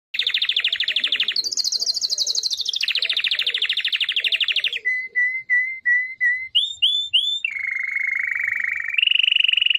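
A Malinois canary sings a continuous rolling song of rapid trills and tours, shifting pitch between phrases, with short fluted notes and a final level warbling roll.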